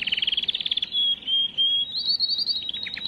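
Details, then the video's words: Canary song played to prepare and stimulate females: a fast buzzy trill of repeated notes, then long pure whistled tones, then a rising rolled phrase and separate chips at the end. "اقوى تغريد كناري للتسميع وتجهيز وتهييج الاناث"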